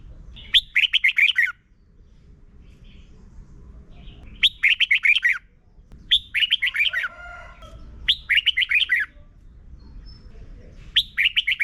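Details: Red-whiskered bulbul, Thailand, singing for young birds to learn: four repeated phrases of rapid, bright warbled notes every few seconds, each a tight cluster of five or six syllables, with short pauses between.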